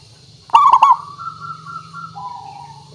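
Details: Local zebra dove used to lure birds into answering. Opens with a loud, quick stuttering run of coo notes, followed by long softer coos sliding slightly downward. Constant low hum.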